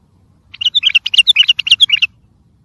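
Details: Bulbul song in the tayariyat saihan style, played to train and motivate young birds. Around fourteen clear, evenly spaced warbled notes pour out in one lively phrase of about one and a half seconds over faint background hum.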